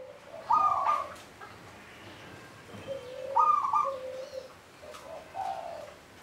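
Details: Local zebra dove singing near the Candi Rimbi temple ruins, Jombang, among hills northwest of Mount Anjasmoro; two bursts of quick, bubbling staccato coos, with lower drawn-out cooing and faint background noise in between.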